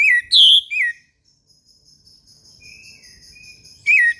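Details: Orange-headed thrush in morning song: a strong three-part phrase of clear, slurred whistles, then a long stretch of thin, high, steady tones and soft notes before the loud phrase returns.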